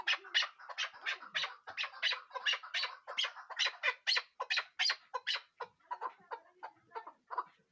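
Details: Chukar partridge uttering a steady, accelerating run of hoarse clucks, loud and evenly spaced at first, then softer and more broken toward the end.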